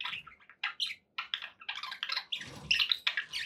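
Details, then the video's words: Happy pet budgerigars chattering: quick bursts of scratchy, warbled chirps in short clusters, separated by brief pauses, with a busier, louder run of notes in the second half. "happy budgie sounds"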